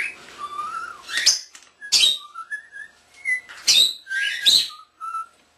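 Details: Male pet common starling under one year old, which whistles tunes and mimics lovebirds and cockatiels, producing clear sliding whistled notes interrupted by loud broadband clicks and rasps, pure whistles returning between bursts.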